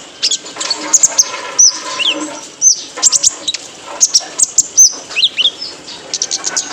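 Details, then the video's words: Male purple-throated sunbird (kolibri ninja) used as a training recording to make caged birds sing: high, thin chirps and short downslurred whistles in loose bursts, with buzzy upper notes and soft background hiss. "PANCINGAN KONIN JANTAN BIAR GACOR"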